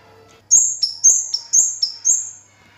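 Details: Orange-headed thrush, known locally as kemade or cigen, singing nonstop. A quick run of six bright, high whistled notes alternates between a higher and a slightly lower pitch over about two seconds, with a faint low hum beneath.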